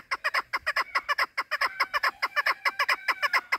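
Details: Female chukar partridge giving a fast run of hoarse chuckling notes, roughly two per second, regular and loud, some notes carrying a drawn-out nasal tone.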